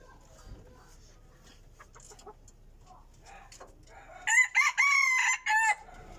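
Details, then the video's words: A rooster kept as a decoy chicken crows loudly after several seconds of quiet faint background noise; the harmonic crow lasts about a second and a half, broken into four bursts, the longest sustained in the middle. "qaib dib qua zoo heev li"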